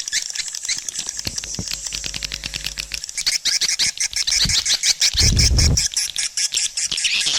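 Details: Swiftlet sounds played to draw swiftlets into nesting houses: a dense chorus of rapid, high, overlapping chirps and twitters, with sharp clicks throughout, a faint low hum early on and a brief deep thump midway.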